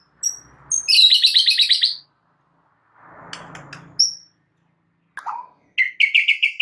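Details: White-rumped shama (murai batu) singing actively for a training recording to make other birds reply: a high rapid buzzy trill, a pause with soft rustling, a thin whistle, then a falling slur and another fast trill.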